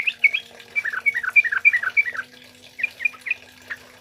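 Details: Energetic wild-style song of a male sooty-headed bulbul, played to prompt and train other birds: a rapid chain of clear, slurred whistles, some dropping in pitch, then a pause and a few scattered notes, with a faint steady hum behind.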